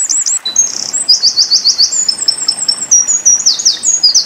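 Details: Song of a Eurasian wren, used to tutor white-eyes: a shrill, breathless run of rapid trilled bursts and quick looping notes, each phrase hurried into the next with hardly a pause.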